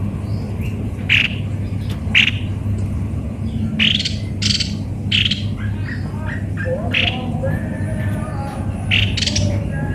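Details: Series of short, raspy, squawking notes from a cucak kopi-kopi, delivered irregularly every second or so, with faint softer chirps and a low hum.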